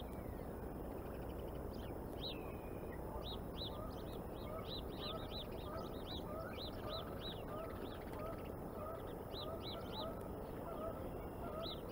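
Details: A bald eagle eaglet at a Decorah nest in the morning sunshine, becoming active and spunky: long runs of thin, high, arched whistled chirps repeated rapidly over a steady low background rumble, with a fainter mid-pitched tone recurring.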